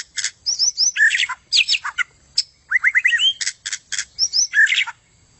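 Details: White-rumped shama singing, used as training song for contest birds: a dense, rich stream of varied high whistles, quick rising slurs, sharp chips and buzzy notes, phrases tumbling almost without pause.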